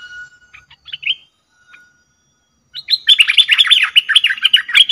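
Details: Cream-vented bulbul lure call for trapping: a few scattered thin whistles and chirps, a short silence, then a dense burst of rapid bubbly chattering notes.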